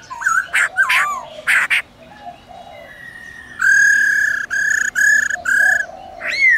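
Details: Laughingthrush singing in wild style to call wild birds, with a female present; short sweeping notes open, then a long steady whistle and a string of bright repeated whistled bursts, ending on a sharp upslurred note.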